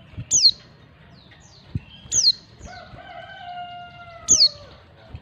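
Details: Female white-eye calling to attract males: three thin, very high chirps sliding sharply downward, spaced about two seconds apart, with a steady lower humming tone in the middle and faint clicks behind.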